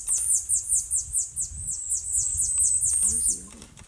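Tanager Finch giving very high, thin chips in a fast run, about two or three a second, with a person speaking softly near the end.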